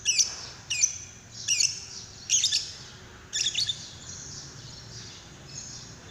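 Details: Lovebird call used as a lure to prompt another lovebird to sing: bursts of sharp, high chirping and squeaky twitters in short clusters, with pauses between them and a steadier thin high trill toward the end.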